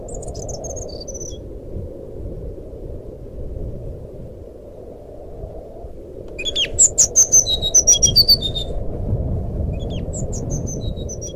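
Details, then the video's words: Fluting song of a sikatan rimba flycatcher, used as a lure to set a quiet caged bird singing: after a few faint high whistles, a rapid burst of sharp, piercing notes stepping up and down, over constant low background hum. "suara burung sikatan rimba nyuling"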